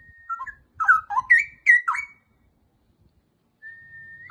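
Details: Straw-headed bulbul delivering a short burst of loud, bubbling whistled phrases, then silence, then a long even whistle rising slightly at its end.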